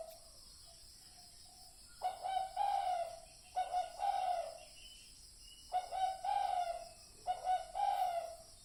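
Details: Spotted dove cooing, played as a lure for decoy trapping; four paired, hoarse mid-pitched coo phrases with harmonics, spaced about every two seconds over a steady hiss, quieter than nearby recordings.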